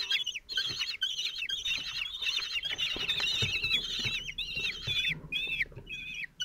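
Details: Common kestrels at the Théding nest in France, 27 June 2023, as the male brings food to four chicks aged 17 days. Rapid, high, slurred calls repeat in quick overlapping series and briefly pause near the end.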